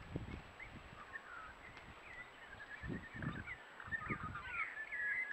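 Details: Spiny-cheeked Honeyeater with unusually light, caramel-coloured plumage at Patchewollock Conservation Reserve, giving soft, bubbling, gurgling warbles that rise and fall continuously, over low thumps of wind or handling noise.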